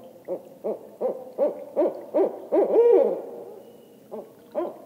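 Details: A barred owl's ascending sequence: about seven clipped hoots in quick succession, each louder than the last, building to one longer, sliding hoot. A few faint soft hoots follow in an otherwise quiet setting.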